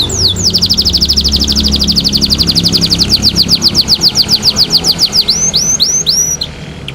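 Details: Pet canary, a gift, singing loudly while bathing: a long fast trill of repeated downslurred high notes, about four per second, ending in a few separate swooping whistles, with low rumbling background noise.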